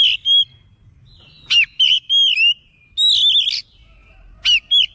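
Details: Oriental magpie-robin singing excitedly in response, with bursts of sweet whistled warbles, downward slurs and sharp high notes separated by brief pauses.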